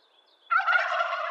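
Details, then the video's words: Thin whistled songbird notes, then a wild turkey bursts into a loud, rolling, throaty gobble that is still going when the sound cuts off. "Wild Turkey Gobble"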